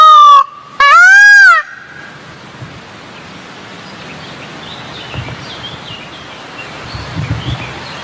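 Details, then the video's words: Two loud, piercing peafowl cries in quick succession open the recording, each a rich, harmonic note that bends upward then falls, followed by several seconds of soft rustling outdoor background noise. "SUARA BURUNG MERAK TERINDAH"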